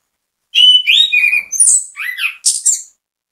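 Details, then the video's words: Orange-headed thrush song used to provoke other orange-headed thrushes into singing. Varied whistles and chirps shift between middle and very high pitch, ending in a scratchy high flourish, delivered rapidly with short gaps. "ANIS KEMBANG GACOR MEMBUAT ANIS KEMBANG IKUT BUNYI, PANCINGAN ANIS KEMBANG"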